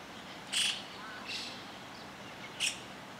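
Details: White-cheeked starlings foraging for food in Higashi-Ayase Park, Japan, on 2 June 2020. Three harsh, grating, noisy calls come about a second apart over quiet background hiss.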